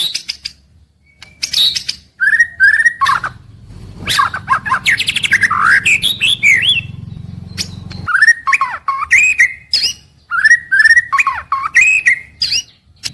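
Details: White-rumped shama in a rich varied daily song for morning-to-evening use: repeated slurred mid-pitched whistles alternating with dense high chattering and scratchy runs, loud and continuous.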